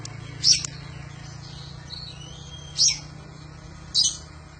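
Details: Oriental magpie-robin song for teaching other birds: three loud, sharp, high-pitched notes spaced one to two seconds apart, linked by faint thin whistles, against a low steady hum.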